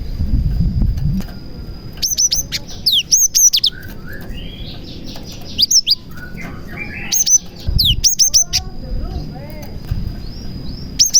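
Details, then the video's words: Cinereous tit singing a varied song mixed with copied prenjak (prinia) phrases, used to lure and stir other tits; sharp high whistled chirps and downslurred notes in bursts, a steady high tone underneath, low rumbling noise at the start. "BURUNG GELATIK GACOR ISIAN PRENJAK • AMPUH MEMANCING BURUNG GELATIK LAIN AGAR CEPAT GACOR"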